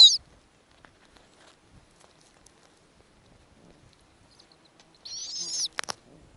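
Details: Wild snowy owl nest in the Arctic, female feeding small owlets during hatching; quiet stretch broken by a brief screech at the start and a harsh wavering high rasp lasting about half a second near the end, then clicks.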